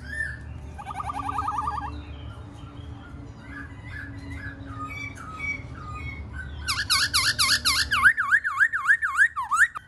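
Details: Black-throated laughingthrush singing: a rapid trill, softer mixed notes, then a loud fast burst of repeated V-shaped whistles, about three or four a second.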